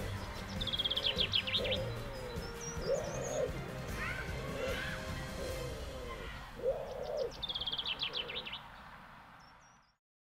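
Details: Fighting common wood pigeons at Hoge Hexel give low, hoarse, muffled notes in short bursts; a small songbird adds high, fast trills and other birds call in the background.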